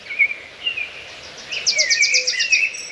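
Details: Several birds singing among trees and plants: rapid chattering trills of short high notes, sliding whistled phrases, and a low soft note near the end, over steady background hiss.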